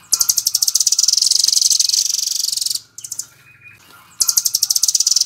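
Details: A rambatan, or velvet-fronted nuthatch, rattles at full speed in the 'nembak' style. Sharp, buzzy, evenly repeated high pulses carry for almost three seconds, drop to a soft lull, then restart abruptly.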